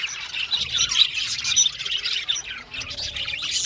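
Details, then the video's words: Aviary flock of budgerigars chattering: quick overlapping chirps, squeaks and warbled notes, steady and continuous throughout. "Beautiful Budgies chirping sound"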